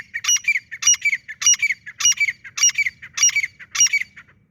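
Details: Francolin (teetar) giving a loud, harsh, rasping call phrase. The phrase repeats seven times at a steady pace of about one every 0.6 seconds, with a faint low rumble behind it.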